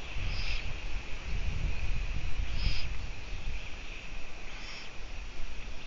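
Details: Eurasian eagle-owl filmed by a live camera on 14 June 2017 at 04:49, giving three brief, high, breathy hissing rasps about two seconds apart, with low rumbling background noise throughout.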